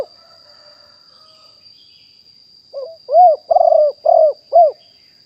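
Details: Fully wild spotted dove, recorded live in 2021 for use as a decoy to call in wild doves. Near-quiet for almost three seconds, then a soft lead-in and four loud, rough, downslurred coos. A thin high hum persists throughout.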